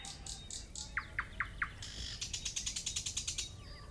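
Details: Nightingale singing faintly against a noisy background: a run of four quick, sharply descending notes, then a fast buzzy series of about a dozen pulsed notes, with a high hissy burst at the start.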